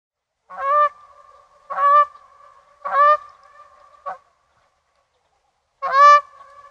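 A goose gives five loud, nasal honks at irregular intervals of about one to two seconds, with a steady hum between them.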